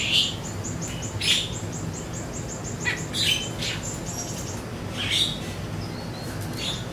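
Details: Siri-siri lure song meant to get trained songbirds replying, with sharp bright chirps spaced about a second apart, a rapid high dotted trill running beneath, and a soft continuous low rumble.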